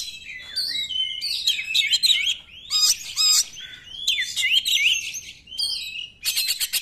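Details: Oriental magpie-robin 'nembak' song, aimed at prompting reluctant magpie-robins to sing: varied whistled phrases and chatter, ending in a rapid run of buzzy, repeated notes.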